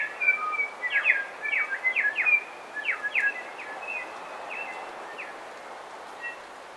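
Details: Bellbirds singing and calling in a coastal dawn chorus: clear whistled notes and quick downward-slurred chirps in loose bursts around mid-high pitch, fading toward the end over a steady background hiss.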